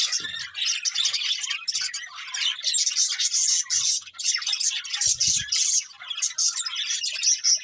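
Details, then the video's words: Budgerigars chirping without pause, high scratchy twitters and short whistled notes packed closely together, with a few light low thumps. "Beautiful Budgies Chirping Sounds"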